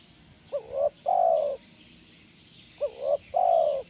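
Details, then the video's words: Kuk 1 style spotted dove song for training birds: two matching phrases, each a brief rising coo, a hooked coo and a long steady coo, spaced about 2.3 seconds apart, with quiet background hiss. "SUARA BURUNG TEKUKUR KUK 1 GACOR"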